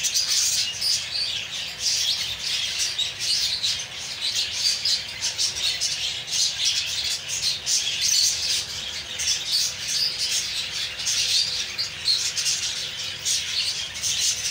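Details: Captive budgerigars with eggs in a breeding setup keep up a constant high, scratchy chatter of chirps and squawks.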